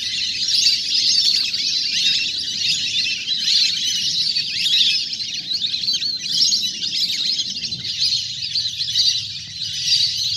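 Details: Large natural duck flock at play on water, used for luring birds down; continuous shrill chattering chorus from many birds over a low rumbling background that quiets near the end.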